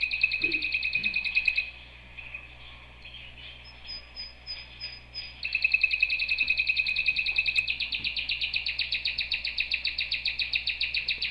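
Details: A canary trills rapidly, falls quiet into soft, high, thin notes for a few seconds, then returns with a loud, dense roll that grows brighter and continues to the end; faint low hum throughout.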